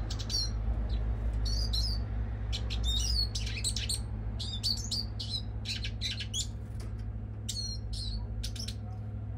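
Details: European goldfinch giving bright, high twittering notes in short bursts, some sliding up or down, several per second with brief gaps, over a steady low droning hum.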